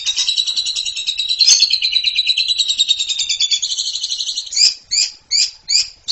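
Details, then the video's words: Jalak suren (Asian pied starling) in masteran 'ngeriwik' style: a long dense rattling trill, then four separate short chirped notes spaced about a third of a second apart. "MASTERAN AMPUH!!! JALAK SUREN SUPER NGEPLONG KICAU PALING NGERIWIK"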